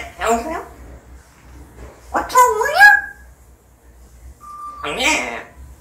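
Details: Pet parrot mimicking speech, short voice-like phrases with sliding harmonic contours, a pause, then a steady whistled tone leading into another wavering syllable.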